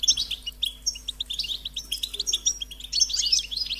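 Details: European goldfinch chicks pleading to be fed: high, thin chirps repeated several times a second in a steady insistent run, with a few higher whistled notes and a faint low hum underneath.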